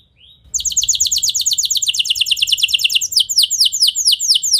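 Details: Canary singing to set other canaries answering: a soft short rising note, then a sudden dense, rapid trill that slows into longer, loud downward-sweeping whistles.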